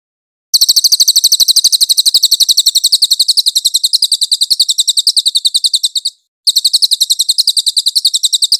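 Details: Cililin singing clearly, a master song suitable for teaching magpie-robins: high, rapid chips repeated roughly four times a second in a long run, a short break, then more of the same.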